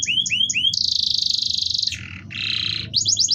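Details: Canary singing as a prompt for other canaries: short rising chirps, a long fast buzzing trill, a lower rough rattle, then rapid high notes, over low background rumble.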